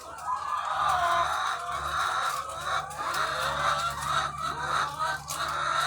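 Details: Egg-laying chickens by the thousands on a farm: a constant wall of overlapping clucking and nasal cackles, no single bird standing out, over a low steady hum.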